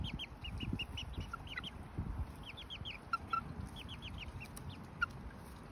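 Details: Lemon Millefleur Sablepoot bantam chicks, two months old and almost fully feathered, a mixed group of young hens and cockerels in a garden: bursts of short, high, slightly downslurred peeps in quick runs, with a low rumbling background.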